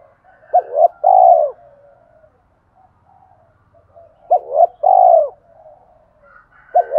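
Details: Spotted dove calling to provoke rival doves, repeating a three-part coo about every four seconds: two quick hoots then a drawn-out, descending note, with faint softer coos from another dove between phrases.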